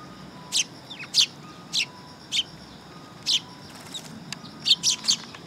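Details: A group of sparrows at a perch platform by a Tenmangu shrine, recorded 3 September 2022, giving crisp, evenly spaced high chirps roughly every half second, ending in a quick cluster of three.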